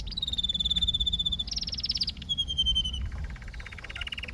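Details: Canary singing a sequence of tours: a long steady whistled note near one pitch, then a rapid buzzy trill higher up, another sustained whistle, and a lower pulsed rattle at the end.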